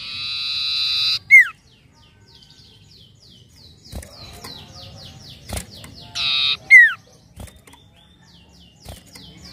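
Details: Common iora lure recording meant to prompt untrained birds to sing: a drawn-out buzzy note, then a sharp falling whistle, with soft repeated downslurred chips between. The phrase comes twice, about five seconds apart.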